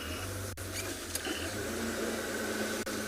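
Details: A vehicle engine hums low and steady throughout, with a few sharp clicks and faint higher tones, and no animal voice comes through.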